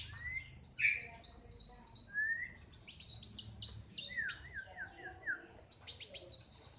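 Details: A tame brown-throated sunbird, hand-raised from young, sings in bursts of thin, very high, rapid twittering mixed with lower clear whistles and a few quick wavering slurred notes.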